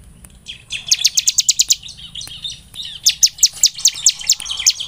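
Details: Bar-winged prinia song played to stimulate other birds to sing: two bursts of rapid, high, sharp chip notes, about eight each, separated by a quieter pause with faint softer chirps.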